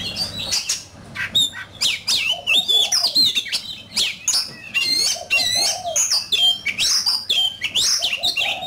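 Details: An oriental magpie-robin sings fiercely in competition: a continuous, energetic medley of high, slurred whistles and quick chirps repeated in short, varied phrases.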